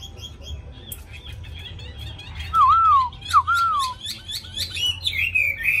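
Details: Caged Hwamei with a wild-type voice, newly arrived and quick to sing: soft high notes give way to loud, lower looping whistles that rise and fall, then a run of bright, high slurred phrases. Low background hum throughout.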